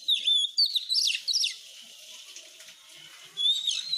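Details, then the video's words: Oriental magpie-robin (kacer) masteran: a clear whistled note, then rapid chirps and warbles, a quieter scratchy stretch, then another rising whistle. "Masteran burung kacer supaya cepet gacorr"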